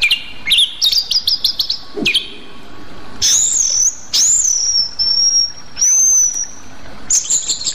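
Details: Rueck's blue flycatcher, endemic to Sumatra, opens with quick chips, then draws out long, very high, thin whistles that waver slightly, each about half a second long.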